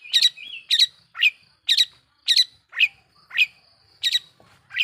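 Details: Lure song of a long-tailed shrike, played to provoke other shrikes: harsh, scratchy double notes alternating with lower chips, repeated about twice a second against a quiet background.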